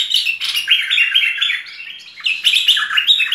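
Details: Full tutor song of a merbah lekir bulbul: dense, fast chirping warble in two loud bursts separated by a softer dip, bright and scratchy.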